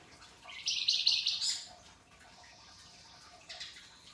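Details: Pied triller in a masteran training recording, singing energetically in a coarse rasping style: one loud, buzzy, rising phrase of about one second, then near silence and a faint short rasp at the end.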